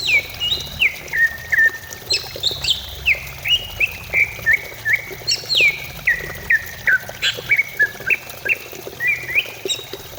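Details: Greater green leafbird song used as a lure to make a kept bird start singing: a continuous varied stream of clear descending whistles and quick swoops, bright and rapid, over a faint steady background hum.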